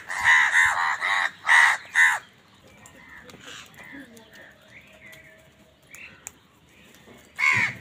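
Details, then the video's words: Crows calling while fighting with wild birds for food, loud harsh caws repeated in a quick burst of five in the first two seconds, then quieter bird chatter, one more harsh caw at the end. "Crow bird live crowing sounds | কাকের ডাক Crow Sound | Crows fight with wild birds for food"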